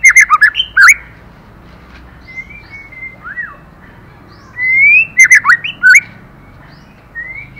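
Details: A female white-rumped shama stimulates the male with two loud phrases of rapid, tumbling notes. Between them, softer whistles and slurred calls are heard.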